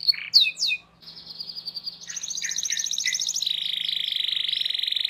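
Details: Canary tutor song aimed at young canaries: a couple of sharp whistled slurs, a brief pause, then long buzzy rolling trills that shift in pitch and continue steadily to the end over a faint low hum.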